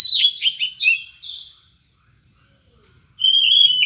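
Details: Unusual-voiced Oriental magpie-robin singing as bait for other birds: a quick jumble of high chirps and whistles, a long pause, then one more warbled high phrase.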